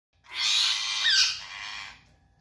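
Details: Pet parrot giving one harsh, hissing squawk lasting under two seconds, loud at first and then fading, with no clear words and no other sounds.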